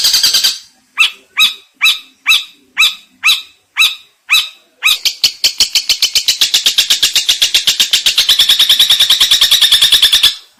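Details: Lively cendet song opening with slow spaced harsh chips, then accelerating into a fast, continuous rattling trill of rapid notes that runs to the end.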